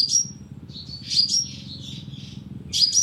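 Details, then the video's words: Sunbird lure call used with a loudspeaker trap: high sharp notes sliding upward into thin whistles, separated by softer buzzy twitter, with a faint low hum underneath. "TIẾNG CHIM 🐤HÚT MẬT MỒI CỰC SUNG DÙNG BẪY LOA 📣KÍCH CHIM"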